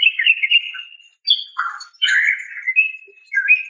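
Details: The female greater green leafbird calls to attract a male: a long wavering whistle, then a harsher burst and a rich, warbled phrase sliding downward, closing with a brief rising whistle.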